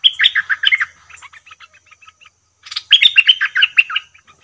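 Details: A bulbul caught by calling with a decoy bird quickly comes to the cage, giving two bursts of rich, bubbling, warbled notes about two seconds apart, with softer chattering phrases between them.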